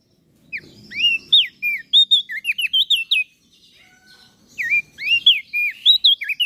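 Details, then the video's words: Training song for cage birds from common iora and bar-winged prinia: a long string of rising and falling whistled notes, a short lull, then more swooping whistles in rapid sequence. "Opior Jambul gacor Mental Juara Masteran Jitu Burung Prenjak Daun Lombok"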